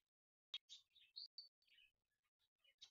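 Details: Indian ringneck parakeet pair at morning mating time: a sharp click, then a quick series of squeaky, chattering high notes, some rising and falling, in a quiet setting.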